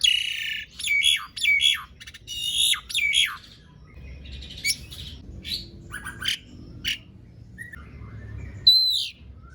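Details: Asian pied starling in vigorous song meant to make silent starlings sing; harsh squawk-whistle bursts at first, then quieter scattered chips and a final loud whistled note.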